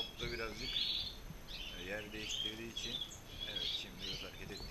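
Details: European goldfinches, a male and a female put together as a pair, giving bright twittering notes in short bursts, with human speech heard between the phrases.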